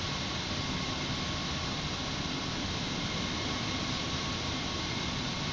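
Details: Continuous hissing, engine-like hum with a faint steady tone throughout; no birds or other animals can be picked out.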